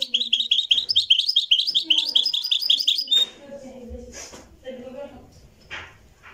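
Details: Moroccan European goldfinch in a live recording reviving a historic singing style: about three seconds of rapid, repeated bright twittering notes, then quiet speech with faint chirps.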